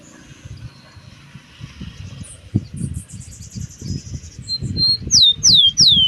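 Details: Rufous-collared sparrow singing at 5 in the morning: a few bright, sharply descending whistled notes near the end, preceded by faint high whistles, over steady low thumping background noise.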